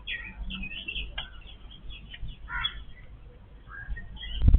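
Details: Yellow-billed babblers, a family feeding together, give short squeaky and chattering notes, some rising, scattered across the clip, with low thumping noises underneath and a loud knock at the very end.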